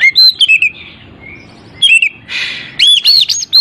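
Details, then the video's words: Oriental magpie-robin song meant to provoke a silent bird: loud whistled and slurred notes, a harsh rasping burst in the middle, then bright rising whistles. "AMPUH UNTUK PANCINGAN KACER MALAS BUNYI"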